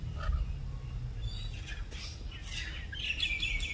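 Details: Australian rainbow lorikeet calling: a few thin chirps, then a shrill, rasping screech that rises near the end, heard against constant low-pitched outdoor noise.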